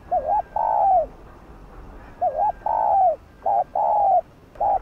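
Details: Coo of a spotted dove in the 'thúc gù' style meant to rouse other doves: repeated pairs of a brief warbled note and a drawn-out descending coo, four phrases with steady gaps and faint background hum.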